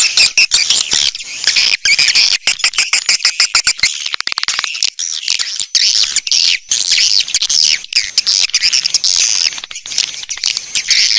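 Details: Constant shrill twittering of numerous swiftlets, a stereo lure sound meant to attract them through speakers; thin, high chatter swells toward the end amid a steady stream of dry clicks.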